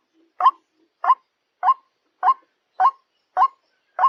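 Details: Repeated croaks of white-breasted waterhens, a combination of male, female and juvenile: seven strong, rising 'kruak' notes at a steady pace of about one every 0.6 seconds.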